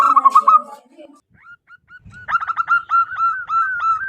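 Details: Loud local wild zebra dove call used as a lure: after an opening jumble of mixed harmonic notes, short spaced coos lead into a long run of quick, rolling, evenly repeated coo notes.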